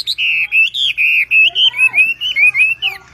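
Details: ['Javan pied starling singing as a masteran tutor track: a steady string of loud, clear, wavering whistles, each note slurring up and down, about a dozen in three seconds.']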